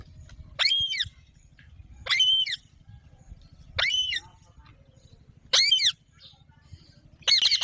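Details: An Alexandrine parakeet screeches loudly and harshly. The screeches come singly or in pairs roughly every one and a half seconds, with quiet gaps between them and a faint low hum in the background.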